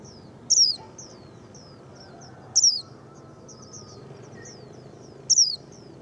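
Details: Japanese white-eye, noted as a ready singer, mixes quiet high twitters with three loud, piercing downslurred notes about two to three seconds apart.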